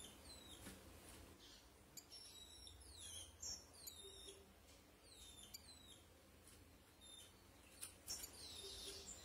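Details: Female rufous-collared sparrow, a ringed captive bird, calling to excite males: a rapid series of thin, high chips, each a quick downward-slurred note, repeated irregularly, with soft scratching and cage rustles in the background.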